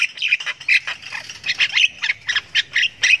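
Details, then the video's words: Young Javan myna in long ngriwik, its learning-to-call chatter: rasping, squawky chirps repeated about every quarter second in a steady, insistent series. "Anakan Jalak Kebo Ngriwik Panjang"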